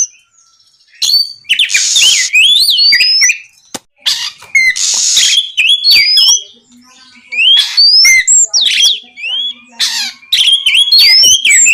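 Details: Kacer, or Oriental magpie-robin, singing ngeplong to make rival birds sing back: two loud rasping bursts with rising whistles, then lively strings of upslurred and looping whistled notes, faint low hum in the background.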